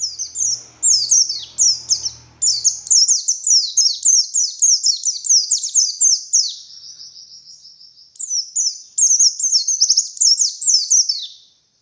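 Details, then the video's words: Morning lure song of a white-eye: fast, high, tumbling chirps in dense repeated phrases, a brief steady whistled stretch near the end, faint low hum at the start. "Suara Burung Pleci Gacor || Pancingan Pleci Ngalas Pagi Hari"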